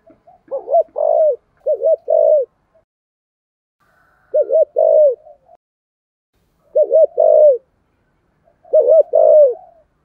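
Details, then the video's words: Spotted dove used as a lure, singing thổ-voice coos to excite wild doves: four low phrases spaced two to three seconds apart, each a quick stuttered pair of notes and a rounder, falling coo. "Chim Cu Mồi - cu gáy giọng thổ kích bổi rất hiệu quả"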